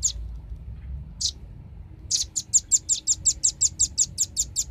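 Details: Recorded as a bird-attracting lure, a velvet-fronted nuthatch utters two isolated shrill chips, then a rapid steady volley of high, clipped notes.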